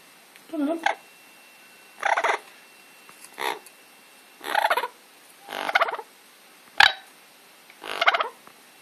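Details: Amazon parrot at home giving a series of seven short, nasal, raspy calls, spaced roughly one second apart, fairly even in loudness.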